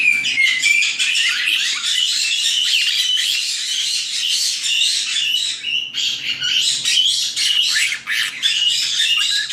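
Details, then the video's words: Chattering of nine young white-bellied caiques in an aviary near Dallas, Texas, an evening habit: overlapping raspy squawks and shrill chirps form a steady flock racket, with a brief lull near the middle before the noise resumes. "Caique Parrot Noises - Listen to White-bellied Caique Babies"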